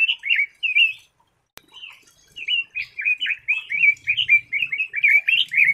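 A red-billed leiothrix sings a fast, rich warble of slurred notes that rise and fall. It pauses briefly after the opening phrases, and a single click breaks the quiet.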